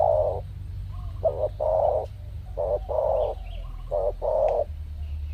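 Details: Wild spotted doves being lured, believed to be in mating season, with birds arriving in pairs; a series of low, hollow coos, a short note followed by longer rounded ones, about eight in five seconds, over a steady low rumble.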